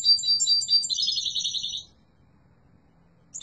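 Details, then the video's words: Yellow mutation European goldfinch giving a high, rapid phrase of liquid twitters that runs into a buzzy, rattling trill lasting about two seconds. A quiet pause follows, then the next phrase begins. "تغريد قوي و جميل🐦 لطفرة الحسون الاصفر"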